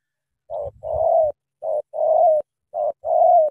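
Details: Spotted dove from Cà Mau, Vietnam, said to have a powerful voice, giving three cooing phrases, each a short low coo followed by a longer drawn-out mellow coo, evenly spaced about a second apart, with faint low thumps.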